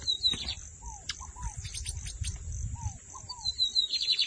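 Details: Lined seedeater in Brazil, singing in short buzzy high bursts and sweeping notes between pauses; a steady high whine runs throughout, with soft descending whistled slurs, sharp clicks and low rumbling noise in the background.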